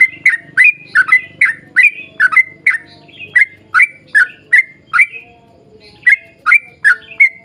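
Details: Yellow-vented bulbul singing a long, rapid 'ropel panjang' run meant to coax others of its kind into song. Quick liquid chirps follow one another steadily, each a short warbled slur. A faint low rumble sits underneath during the first half.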